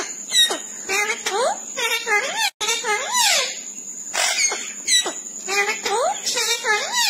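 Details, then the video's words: Talking parrot imitating human speech, repeating the phrase "Mian Mithu choori khani aye": squeaky, nasal speech-like syllables with swooping rising and falling pitch, several phrases in quick succession with a brief break. "Mian Mithu Choori Khani aye Original Voice"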